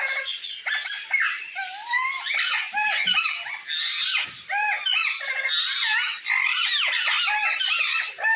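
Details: Parrot calling to another parrot: dense, continuous harsh squawks and squeaky chatter with rising and falling harmonic notes, overlapping without pause, brief dips near the middle.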